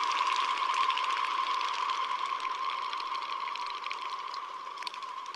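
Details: Common goldeneye wings in flight in February around Oak and Cadboro Bays, where the birds dive for mussels: a steady, loud, whistling hum with a fast, throbbing pulse of wingbeats, about three per second.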